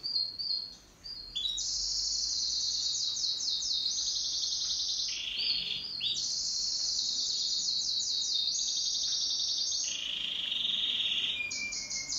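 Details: Pet canary singing in duet, a continuous high rolling song of rapid trills and buzzy tours that shift pitch in steps, with brief descending sweeps, after a short quieter start.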